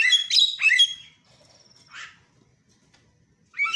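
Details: A Javan myna, used as a lure recording to get other mynas chattering again, gives harsh, squawky bursts with rasping, descending notes, then a brief thin whistle and a short buzzy phrase; quiet otherwise.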